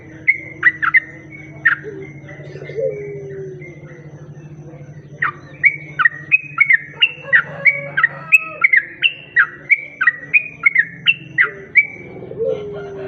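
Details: Sooty-headed bulbul song played as a lure for other bulbuls. A few whistled notes open, then after a pause comes a long run of clear, bouncy, repeated two-part whistles, with a faint low throbbing hum beneath.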